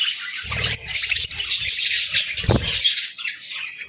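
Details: Morning chorus of pet budgerigars: steady overlapping chirps and warbling chatter from several birds, with fluttering and a louder thump near the middle as a bird moves about.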